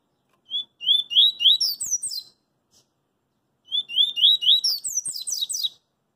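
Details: Double-collared seedeater singing in the street, delivering two similar fast phrases about three seconds apart; each starts with mid-high whistled slurs and rises into rapid, very high chattering notes.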